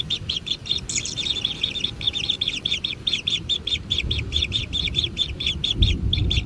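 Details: Kingfisher nestlings at a natural nest, fed and begging: clipped, buzzy chirps repeated in quick bursts, with one short louder harsh note near the start and low rumbling noise below.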